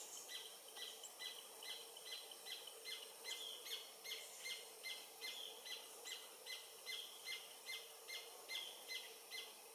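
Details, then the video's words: Singing Paradise Jacamar recorded at the Comte river, French Guiana, with a Panasonic FZ300 at 11:00 in November 2023: regular high-pitched notes, each with a lower sharp accent, repeated about two and a half times a second. "Paradise Jacamar (Galbula dea dea) singing, French Guiana"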